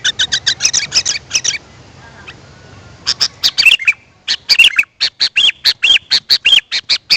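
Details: Sooty-headed bulbul calling, as a lure for wild birds. Quick clusters of sharp chirps are followed by a silent gap, then a steady run of bubbly, slurred notes at an even pace.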